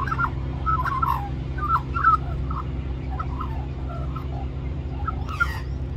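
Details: Magpie begging for mango by singing at Cirillo Reserve, New South Wales, Australia; quieter, scattered short whistled notes and soft warbles with gaps, over steady low rumble.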